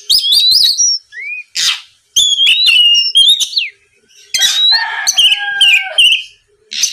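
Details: Oriental magpie-robin song meant to provoke opponent birds into singing: twisting whistled notes, a low slurred note, buzzy raspy bursts and longer steady whistles, delivered in irregular phrases about 25 a minute.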